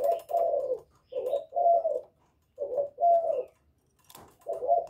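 A spotted dove gives deep, hollow coos in short rolling phrases, about two notes per second with brief pauses, and a faint knock partway through.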